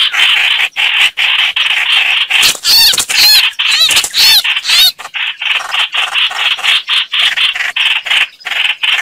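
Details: Rasping chatter of the chao chảo bird, used to draw birds into traps, pulsing about twice a second, with a burst of looping high whistled notes in the middle.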